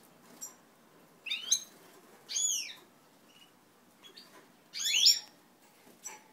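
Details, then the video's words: European goldfinches of native Italian stock forming pairs, 20 March 2012: a few separate sharp, sweeping, twittering notes, some falling in pitch, spaced irregularly over a quiet background. "formazione coppie cardellini"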